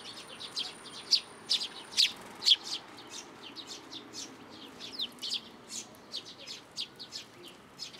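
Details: Several sparrows flying in to a plum tree at a Tenmangū shrine for food on 17 June 2022; a string of sharp high chirps, louder at first, then quicker, softer calling from many birds.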